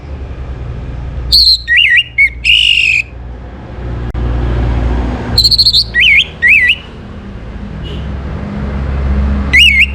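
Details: Morning Orange-headed thrush song, a lure to raise breeding condition: bold phrases of buzzy notes followed by clear zigzag whistles, repeated twice with silences between, over a low background hum.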